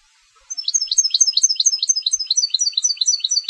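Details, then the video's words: European goldfinch of competition type singing a steady series of high, twittering, rhythmically repeated double notes, lively and metallic, running to the end. "Jilgueros de Concurso - Canto del Jilguero"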